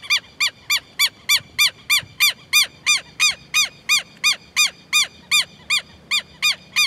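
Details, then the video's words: Southern lapwing giving a steady series of loud, harsh, metallic notes, each a short arched bark rich in overtones, about three per second, evenly spaced for the whole stretch, with only faint low background noise. "Quero Quero Cantando"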